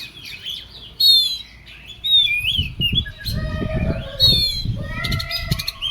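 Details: Oriental magpie-robin singing in an agitated, heated mood, with loud, ringing whistled phrases, high swoops, and harsh buzzy notes over some low background thumping.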